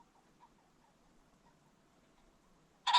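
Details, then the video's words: Ring-necked pheasant recorded at sunset on a creek bottom, with a few faint soft notes, then one sudden loud, coarse squawk at the very end. "The Sounds of the Ring-necked Pheasant"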